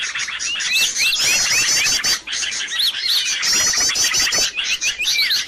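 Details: Noisy birds in a lure track for attracting birds, giving looping whistled slurs and quick chattering trills in a crowded, continuous chorus.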